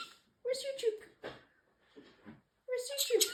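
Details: Male pet parrotlet talking indoors, repeating learned phrases such as peekaboo and excuse me: two voiced, speech-like bursts with strong harmonics, separated by short quiet gaps and softer clicks.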